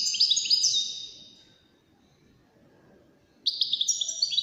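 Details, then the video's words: One of five wild-caught European goldfinches competing in song delivers a brief bright twittering burst, then nearly two seconds of silence before a renewed jangle of high, rapid chirps. "مسابقة افضل تغاريد 5 حساسين ويدانية"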